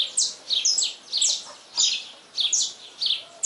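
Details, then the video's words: Saffron finch singing persistently at dawn: repeated high, sharp, downslurred chirps grouped in quick pairs and triplets, roughly every half second, over a steady background hiss of noise. "Canário-da-terra cantando muito ao nascer do dia - Canto do Canário-da-terra ao nascer do dia"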